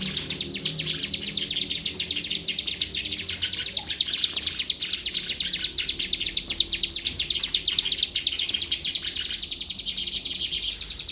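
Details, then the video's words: Bar-winged prinia (ciblek), a contest-grade bird linked to a judge in Palembang, singing a long, steady run of sharp, high chips, about three per second, continuing without a break for eleven seconds over faint low background noise. "CIBLEK GACOOR"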